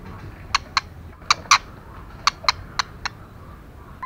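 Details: A female white-rumped shama calls to rouse males with sharp, dry clicks given mostly in pairs, about eight in four seconds, against low background noise.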